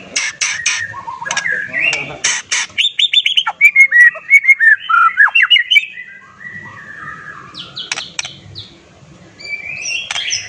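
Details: White-rumped shama singing to goad other shamas into answering: sharp clicks and harsh notes, then a fast falling sequence of clear whistled slurs, followed by scattered chirps and buzzy calls.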